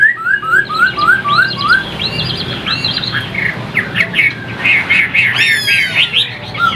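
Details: Song of a captive Chinese hwamei in Vietnam, a bird described as singing well: a run of about six identical rising whistles, then tumbling varied phrases mixing liquid notes with a harsher sweeping trill.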